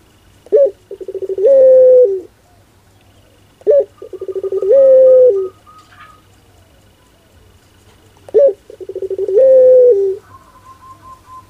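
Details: Three matching pelung phrases from a Barbary dove (puter), each about four to five seconds apart: a sharp note, rapid pulsed coos, then a prolonged level coo dropping at the end; a faint steady whine between phrases.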